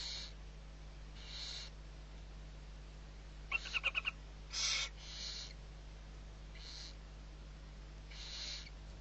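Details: Feeding of six barn owl owlets, Riet Vell reserve, Ebro Delta, Spain, 21 November 2023; a series of breathy hisses from the young, with a quick burst of rattling clicks midway and a louder hiss after, low hum throughout.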